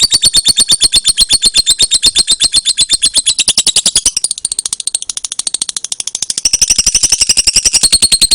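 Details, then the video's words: Lovebird giving a long ngekek chatter, used as a lure and master recording for training songbirds: a rapid, steady stream of high, harsh clicking notes, about ten per second, with a brief softer dip midway. "SUARA LOVE BIRD EKEK PANJANG"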